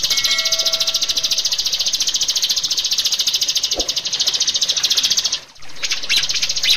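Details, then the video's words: A rio-rio bird, recorded as a lure to train captive rio-rio to sing, gives a high, dry, rapidly pulsing buzzy trill that runs almost without a break, opening with a brief steady whistled tone. "suara burung Rio-Rio"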